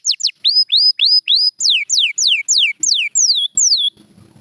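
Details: Canary song, a champion bird: clear whistled notes sweeping up then falling, repeated about three times a second in phrases, ending in quiet background.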